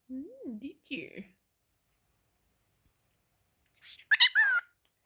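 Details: Talking pet cockatiel asking "whatcha doing" indoors; a person's low voice speaks first, then after a pause the bird answers with a short, squeaky, whistled phrase that sweeps up and down.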